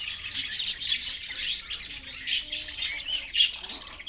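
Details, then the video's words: Caged budgies chirping; a dense chatter of high, warbling chirps and squeaky notes from several birds, continuous and overlapping. "Beautiful birds in cage Beautiful chirping sound"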